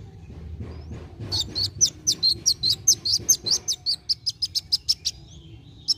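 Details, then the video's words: Kolibri wulung sunbird in fast, vigorous song used to encourage young birds to sing: after a quiet second, an even run of about twenty shrill, high chips at a steady quick pace, then a thin sliding note at the end. "KOLIBRI WULUNG GACOR NARUNG CEPAT MERANGSANG BUNYI BURUNG BAKALAN"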